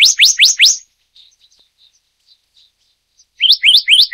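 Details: Black-naped monarch, Hypothymis azurea oberholseri, endemic to Taiwan: four loud, steeply rising whistles, then soft scattered chips, then another quick run of four rising notes.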